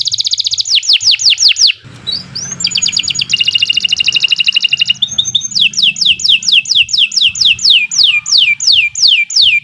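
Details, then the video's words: Long canary song recorded as a master for teaching other birds. A run of falling whistles is followed by a thick, rapid rolling trill, then more evenly paced swooping whistles, with a soft low rumble beneath. "Kicau Burung Kenari 106 II GACOR PANJANG Cocok untuk Masteran"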